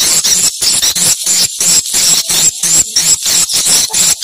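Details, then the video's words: At a location check, swiftlets give shrill, high chirps in short bursts about three times a second, with a faint low hum underneath. "suara burung walet"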